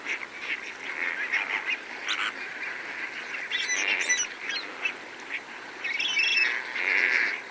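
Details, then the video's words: Medium close-up of several greater flamingos feeding alongside lesser flamingos, giving a steady chorus of nasal, goose-like honks and gabbling, with other flamingos and a spur-winged goose calling in the mix. "Greater Flamingo / MCU Calls From Several Birds Feeding With Lesser Flamingos"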